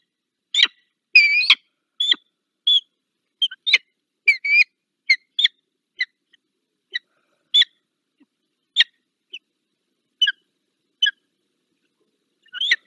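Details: Peregrine falcon (Falco peregrinus) in the Barycz Valley, Poland, recorded 15 February 2023, giving short, sharp, high chipping calls, singly or in quick pairs, spaced irregularly about every half second to two seconds; otherwise quiet.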